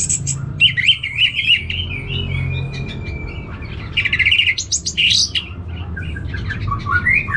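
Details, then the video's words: Caged orange-headed thrush from Singaraja, North Bali, singing warbled phrases, a long thin whistle, then sharp chirps and descending slurs, over a low rumbling background. "Diputarr ANIS MERAH Langsung Gacor Nyaut Joss"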